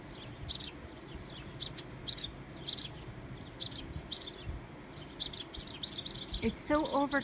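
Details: Nesting barn swallows on a garage security light repeatedly swoop at people below, filmed by iPhone 6 on a humid day; bright high twin chips repeat irregularly, quickening into a rapid chattering run near the end, with a brief lower sound.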